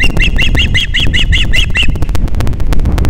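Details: Ospreys mating in the morning at Captiva, Florida, 13 December 2021: a quick run of nine bright, ringing chirps, evenly spaced and slightly rising then falling, then only wind rumble.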